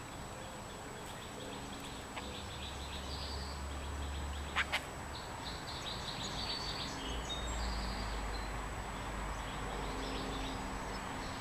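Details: California scrub jay (Aphelocoma californica) nestlings at the nest on 25 April 2015 give thin, high, squeaky begging peeps in quick clusters over a low background rumble, with two sharp clicks midway.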